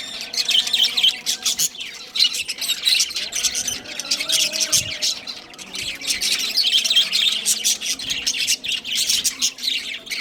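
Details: Budgies, a breeding pair, keep up a steady warbling stream of fast, high, scratchy chirps and squawks, slightly louder at the start and end.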